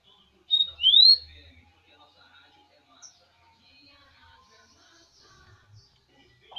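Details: Rufous-collared sparrow delivers one quick phrase, a short high whistle then an upward-sliding note, followed by several seconds of near silence with faint low rumbling and soft scattered sounds.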